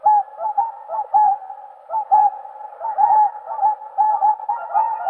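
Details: Whooper swans in chorus, a dense, overlapping stream of nasal honking calls, about one per second, with a continuous babble of other calling birds behind.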